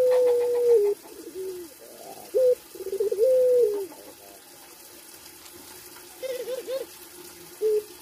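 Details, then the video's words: Puter pelung Barbary dove in breeding condition opens with a sustained coo that drops in pitch, then gives scattered short notes and a shorter coo, with long quiet gaps and steady background hiss. "Puter Pelung Gacor Birahi"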